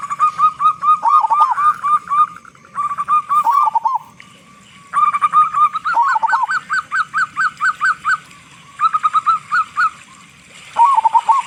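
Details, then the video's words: Local zebra dove with a large voice singing vigorously as a lure for other doves; rapid staccato cooing in several long runs, some notes swooping downward, with short pauses between runs. "Perkutut Lokal Gacor Suara Besar Pancingan Burung Perkutut Agar Cepat Bunyi"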